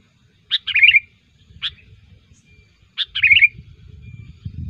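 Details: Sooty-headed bulbul (Pycnonotus aurigaster), vigorous song used as a trapping lure: short, bubbly, chirping phrases, each under a second, repeated about every second and a half, with faint low rumbling behind.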